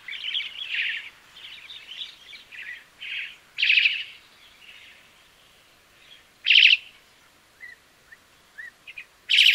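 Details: Crested myna giving scratchy chatter that fades, then spaced loud buzzy rattling bursts and a few thin short whistles, with quiet gaps between the phrases.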